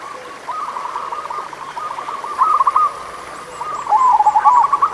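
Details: Local zebra doves singing, meant to prompt lazy doves into song: a continuous low chorus of rapid cooing notes, then louder rolling coo phrases with a wavering trill near the end.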